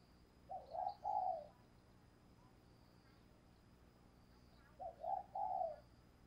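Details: Decoy spotted dove calling wild doves in the morning, heard faintly against a steady hiss and a thin high tone. Two low coo phrases about four seconds apart, each ending in a longer burred note.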